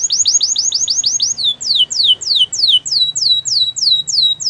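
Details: Spanish Timbrado canary song: a fast series of crisp falling notes, then slower, evenly spaced downward-slurred whistles, roughly three per second.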